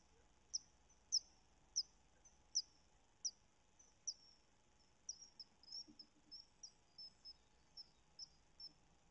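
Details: Common kingfisher young begging for food at feeding: sharp, very high piercing notes about every half second, then a quicker, softer run of calls, over a faint steady hum.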